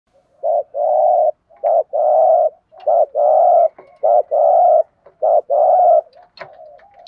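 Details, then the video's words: Spotted dove giving a structured 'thúc gù' cooing sequence used to excite wild doves and train decoy birds: low, mellow coos in repeated pairs of a short note followed by a longer sustained one, about four pairs, in a quiet setting. "Tiếng chim cu gáy thúc gù bài bản dùng kích bổi và tập mồi hiệu quả"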